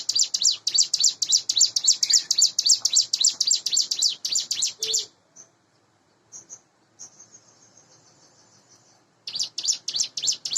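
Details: Morning song of a caged Sunda bush warbler, about eight months old, hand-raised and in breeding condition: five seconds of fast, high, rattling repeated notes, a lull with faint thin notes, then the rapid series returns.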